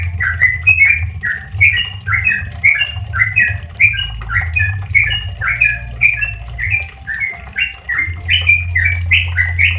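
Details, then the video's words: Rapid 'ropel santai' song of the Sooty-headed bulbul, used to tutor caged birds: bright, bubbling notes tumble one after another without pause, slightly louder toward the end, with a constant low droning hum beneath. "Suara Trucukan Bikin Cepat Ropel, Trucukan ropel santai paling WAJIB untuk masteran burung trucuk"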